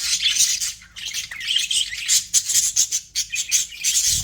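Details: Pet budgerigars in an aviary, described as happy budgies: dense, continuous high chattering and chirping with rapid warbled notes, several birds overlapping throughout.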